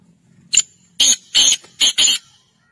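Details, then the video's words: Black francolin, a Sindhi kala teetar, calling with a short harsh opening note followed by three loud, grating, evenly spaced bursts, the phrase lasting under two seconds in a quiet setting. "Kala teetar ki awaz sindhi kala teetar"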